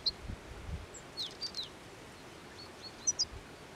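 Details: Hungry European goldfinches in midwinter, feeding eagerly on plane tree seed balls by the Anapodaris river near Garipa, 17 January 2021; brief, high, thin chirps and twitters scattered through, bunched near the middle and end, over soft low rumble.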